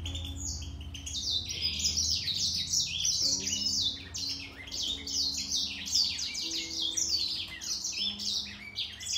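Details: A grey singer finch duels in song with a green singer, producing a long unbroken stream of sweet, quick, sliding notes and twitters with a soft steady hum in the background.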